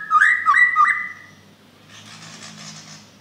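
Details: A loud-voiced Bornean white-rumped shama, used as a lure for other shamas, sings rich whistled phrases, three swooping notes in quick succession.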